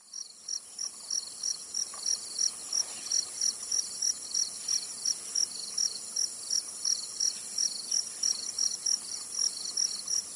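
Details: Zitting cisticola recorded in Tainan, Taiwan: short sharp high notes repeated steadily about three times a second, set against a continuous shrill insect drone.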